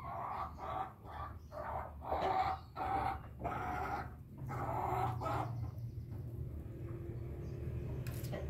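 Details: A Bangkok hen crowing after drinking: a quick run of about eight harsh, pulsed notes over five seconds, then steady low rumbling background noise.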